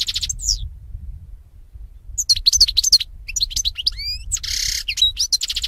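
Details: European goldfinch song played to train goldfinches to sing: rapid twittering bursts of high, bright chirps, buzzy trills and slurred notes, after a near-silent opening pause.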